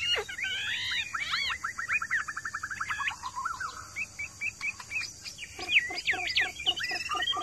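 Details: Hwamei kept caged in a yard, answering other birds' calls: a fast tumbling run of varied whistles and trills, then a quieter pause, then a burst of sharp clipped notes.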